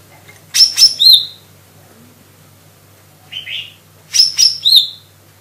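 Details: Lesser green leafbird (Chloropsis cyanopogon), a cucak ijo mini, singing actively: two groups of three sharp, high chirps with a slurred whistle, a softer lower buzzy phrase between them, over a faint low hum.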